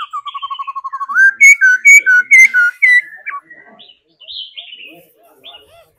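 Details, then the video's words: Laughingthrush trained to sing and dance: a fast string of low repeated notes rising into loud, ringing whistled phrases, then softer chattering. "Khứu hót múa đẳng cấp. Luyện chim hót múa mỗi ngày"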